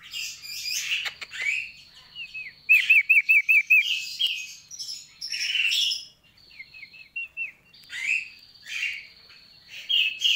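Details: Energetic gacor singing from a sooty-headed bulbul, mixing harsh scratchy chatter with two runs of quick looping whistled notes, about six in each run, between rough bursts.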